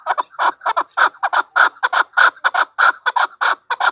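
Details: Female chukar partridge giving a steady run of loud, raspy clucks, often paired, repeated about one and a half times per second throughout.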